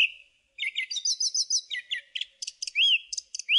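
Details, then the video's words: Song thrush singing a dense, fast phrase: a brief whistle, then a rapid string of chirping, twittering notes with some short repeated elements and rising whistled slurs at the end. "Song Thrush Singing"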